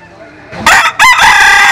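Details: Jap Cuban bantam chicken crowing while sunbathing: after a quiet start, a very loud, harsh crow bursts in, breaks briefly, then resumes as a strong sustained note with dense overtones.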